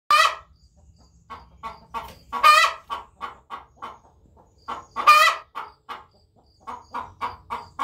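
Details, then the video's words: Wyandotte hen, one that rarely sings, giving her song: loud, harsh, drawn-out squawks about every two and a half seconds, with short clucks between them. "Ms. Wyandotte singing"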